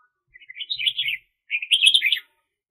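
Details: Decoy red-whiskered bulbul for bird trapping, 2021: two rapid, lilting warbled phrases in quick succession, each a jumble of bright chirpy notes rising and falling.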